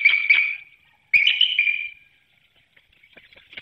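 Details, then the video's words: Bald eagle pair at a nest with eggs in Hanover, Pennsylvania, recorded by nest webcam before dawn on 18 March 2019 around 6:30 a.m. The pair exchange calls at an incubation changeover: high, rapid chittering bursts, each roughly a second long, separated by silence. "1st exchange at the Nest Webcam in Hanover, PA"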